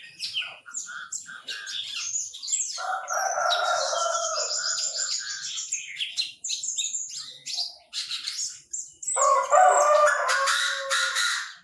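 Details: Chinese francolin call, loud and harsh with strong harmonics, given in two phrases, one in the middle and one near the end, over a busy background of rapid high chirps and tweets from small birds.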